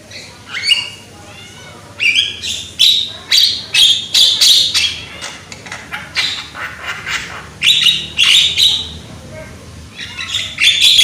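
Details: Javan myna, young and loud, singing to trigger other mynas: rhythmic series of grating, buzzy squawks in bursts of four to six, separated by short quiet gaps.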